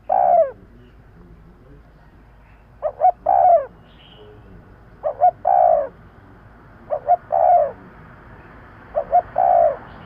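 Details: Spotted dove call for luring birds: steady series of about five phrases, each two short hollow coos and then a longer falling coo, evenly spaced about two seconds apart.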